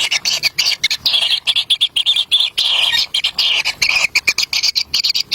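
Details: Wild kingfisher babies begging while a parent delivers a black lizard: harsh, buzzy high notes in fast stuttering bursts, several per second, separated by short pauses.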